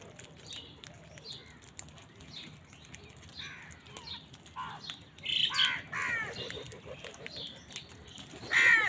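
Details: Crows squabbling with wild birds over food: harsh, stacked caws, quiet at first, then growing louder and closer together near the end, with the loudest calls at about five and a half and nine seconds. Faint chirps and outdoor hiss sit beneath.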